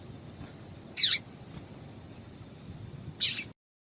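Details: Calls of a female double-collared seedeater, used to warm up males before singing tournaments: two well-spaced, thin, high notes that sweep sharply downward, with quiet hiss between them.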